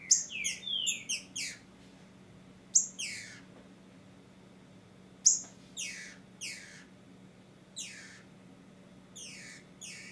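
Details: Female green-winged saltator soliciting, calling to stimulate a male's song during breeding and tournament season in Brazil: short, sharp downslurred whistled notes in quick clusters of two to four, spaced a second or two apart, in a quiet setting.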